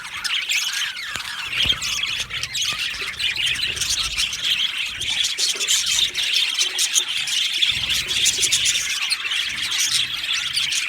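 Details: Colony of happy budgerigars in an aviary, chirping together in a dense, continuous chatter of high twittering notes and squeaky warbles, many birds calling at once with brief sharper squeals.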